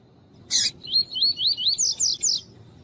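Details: Double-collared seedeater (coleiro) singing tuí-tuí style song, used to warm up males, with a female calling; a brief noisy burst, then about seven slurred, rising whistled notes that climb higher toward the end.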